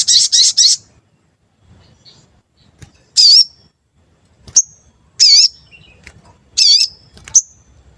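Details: Lure recording of a sooty-headed bulbul, used to provoke wild or untrained birds to answer; opens with three fast buzzy notes, then repeated wavering harsh phrases alternating with short piercing high whistles, spaced about a second apart.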